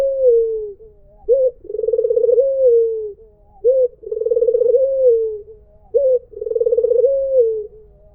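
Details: Melodious "mpuk jeruuu" cooing of a white Barbary dove. Three phrases, each a brief sharp opening note followed by a drawn-out, burring coo that sags in pitch at its end. Little else audible.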